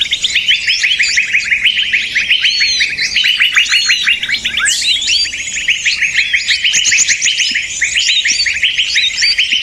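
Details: Small birds in loud commotion, used as a trapping lure: long, rapid trills of falling chip notes over constant high twittering, broken midway by a sharp rasping burst.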